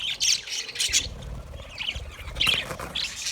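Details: Budgerigars in an aviary in Australia giving bursts of raspy squawks and chirps, several birds calling in short overlapping phrases with brief pauses between.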